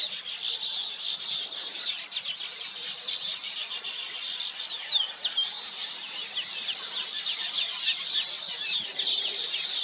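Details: Weaver birds at their nests: a dense, continuous chorus of high chattering, sizzling notes and quick sweeping chirps, with a steady high-pitched hum running beneath throughout.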